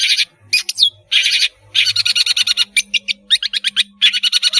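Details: Long-tailed shrike singing actively, a lure for young spotted juveniles learning to sing. Dense bursts of harsh, buzzy chatter alternate with short sharp chips and a brief whistled slur. A faint low hum lies underneath.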